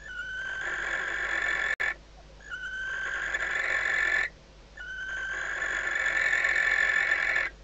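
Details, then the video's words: Female barn owl in a nest box at Riet Vell reserve in the Ebro Delta, at night shortly before the first egg hatches, calling to the arriving male before mating. Long, rasping, harmonic screeches of about two seconds each, separated by brief pauses. "AMOR LECHUZO - Lechuza común"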